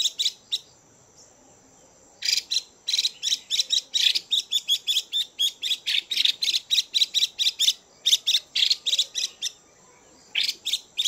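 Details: Female Chinese hwamei in captivity giving male-stimulating calls: a few harsh notes, a pause, then a long dense run of rapid scratchy chatters ending in a silence and a final burst.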